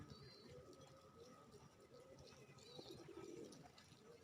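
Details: Bangladeshi racer pigeons at a loft, heard faintly as soft low coos that rise toward the end, overlaid by thin high chirping and a steady background hum.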